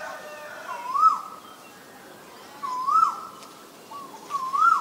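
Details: Three rising whistled notes from a male Asian koel, the last two close together, clear over a quiet hiss.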